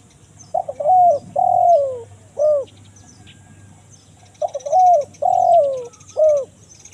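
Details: Spotted dove lure recording of the 'kuk 1 mersik' voice type, used to attract wild doves in forest: two phrases, each a rough stuttered note, a long coo, a falling drawn coo and a short clipped final coo, with faint high chirps behind.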